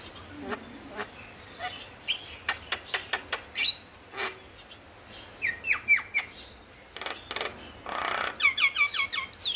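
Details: Male Javan myna singing to stimulate lazy birds: quick clicking and rasping notes in a regular series, then whistled rising slurs and a fast trill-like run of repeated notes at the end.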